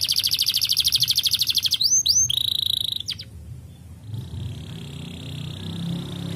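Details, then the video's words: A canary sings a fast, high trill of rapid repeated notes, then bright rising whistles and a sustained high tone over a faint low hum; song meant to encourage other canaries to sing again. "A gyönyörű kanári dal bebizonyította, ösztönözve a többi kanáriust ismét az éneklésre"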